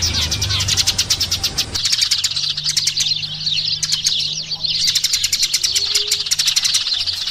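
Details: Eurasian tree sparrows chattering with bright, clipped chirps, dense at first, then thinner and more spaced, with a low hum underneath.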